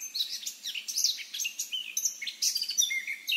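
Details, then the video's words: Eurasian blackcap, a wild bird, singing a fast, dense warble of high, twittering and scratchy notes that tumble over one another without pause for several seconds. "chant & cri de la fauvette à tête noire"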